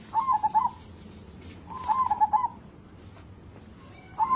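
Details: Lively local zebra dove song, kept to lure other birds into singing: two soft, trilling coo phrases of quick pulsed notes about 1.7 seconds apart, a third starting at the end, with light background noise.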